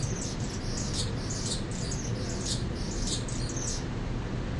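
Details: Male Anna's hummingbird, mature, proclaiming his feeder-deck territory: rapid high-pitched scratchy squeaks and buzzy phrases repeated steadily, with a continuous low rumble underneath.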